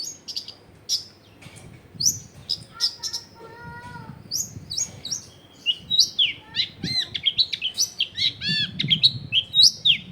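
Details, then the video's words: Long-tailed shrike singing with a varied repertoire, recorded in a densely populated residential area. High whistles and chirps, a few lower harmonic notes, then quick looping squeaky phrases, over faint low rumbling background. "CENDET GACOR BAHAN BUNYI ISIAN MELIMPAH CENDET DIAM LANGSUNG NYAUT EFEKTIF CENDET AGAR IKUT BUNYI"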